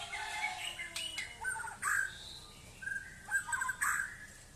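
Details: Brief White-rumped shama song of varied whistled phrases and short chirps, with several louder slurred notes spaced by short pauses.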